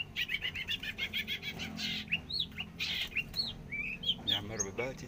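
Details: A very active long-tailed shrike sings a fast run of about nine short, evenly spaced chirps, then switches to varied rising whistles, slurred notes and scratchy chatter, with some low background rumble.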